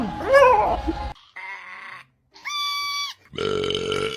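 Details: Parrot producing strange mimicked sounds: a low, grunting, burp-like noise, then a nasal droning tone, a clean steady whistle with rich overtones, and a final harsh buzzy tone, separated by brief silences.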